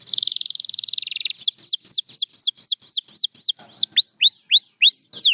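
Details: Champion canary: a dense buzzing trill lasting about a second, followed by clear slurred whistles that rise and fall, repeated roughly four times a second.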